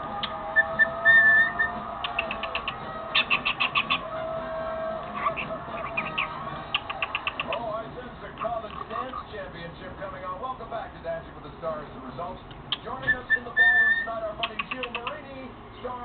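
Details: A 1.5-year-old male cockatiel (Nymphicus hollandicus), raised as a female, talks and sings with quick repeated whistled and chattering bursts while playing with an empty toilet paper roll, as a television talks in the background.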